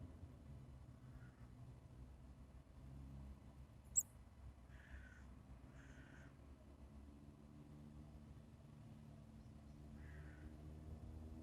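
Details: Titmouse at a bird feeder giving three faint, harsh, buzzy notes, two close together near the middle and one later, over a low steady background rumble with a sharp click.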